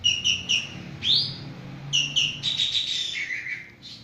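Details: Javan green magpie (Cissa thalassina) calling vigorously: three short, harsh repeated notes, a quick rising sweep, then more clipped notes running into a buzzy phrase that drops lower and fades.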